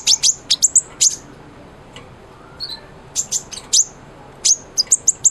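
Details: Sunbird song for training a white-rumped shama: clusters of sharp, very high chips separated by brief quiet gaps, with one soft lower whistle midway.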